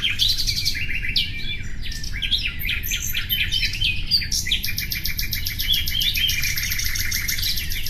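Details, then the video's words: Singing common nightingale: an opening of sharp whistled and chirping notes, then a long fast rattling trill sustained to the end, over continuous low rumble. "Bülbül sesi"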